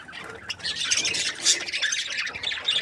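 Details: Several happy budgerigars chirping together: a dense, scratchy chatter of squawks and warbles, high-pitched and continuous, swelling at times, with no clear pauses.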